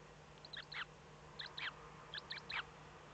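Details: Eifel, Germany, early morning of 8 April 2014, as the first Eurasian eagle-owl chick hatched: three bursts of sharp, bright chirps, each a tight cluster of two to three squeaky notes, repeated about every second above a faint constant hum.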